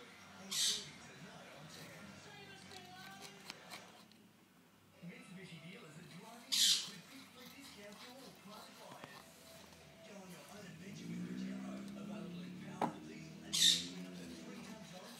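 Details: A pet Monk parakeet (Quaker parrot), which has learned to escape its cage by moving a can, gives three harsh, high squawks spaced several seconds apart over quiet background talk.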